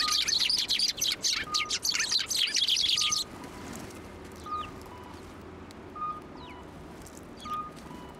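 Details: Sparrows at a Tenmangu shrine, 1 January 2024, landing on an outstretched hand for food. A dense burst of rapid, high chirping chatter fills the first three seconds, then only scattered faint chirps remain. Short, steady beeps repeat every second or so.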